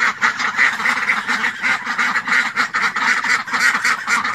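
Ducks quack steadily, a nasal rasping chorus with overlapping calls several times a second, continuous throughout with no other clear sounds.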